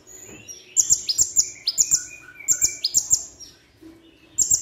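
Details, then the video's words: Plain-throated sunbird song with imitated phrases of birds like cililin, srindit and platuk beras: a rapid run of sharp, piercing high notes and swept chirps, a brief lull, then a fresh loud burst at the end. "Masteran Konin"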